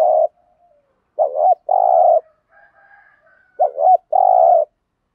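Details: Decoy cooing of a spotted dove in 'thúc gù' style, used to get wild doves answering: a trailing coo, then two phrases each made of a warbling double note followed by a long steady coo, with a faint higher whistle between.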